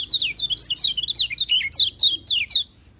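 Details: Song of a white-eye, played to coax quiet birds into singing: a continuous rapid stream of sweet, high, slurred chirps, each note swooping up or down, pouring out for nearly three seconds.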